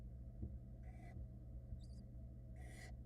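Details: Two soft, breathy hisses from barn owl chicks in a Florida nest box, 2022, reacting to their wet mother drying off. A brief high squeak falls between the hisses, over a constant low hum.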